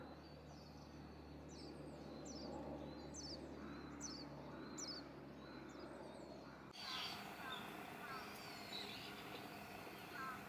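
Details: Coal tit in late November 2020 gives thin, very high call notes, roughly one a second, over a steady low mechanical hum and general background noise.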